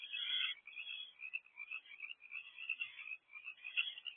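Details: Owls at a nest box on the evening of 1 March 2024 at 7:24 pm, both adults delivering rodents; continuous harsh, raspy hissing screeches with uneven swells, no other sounds.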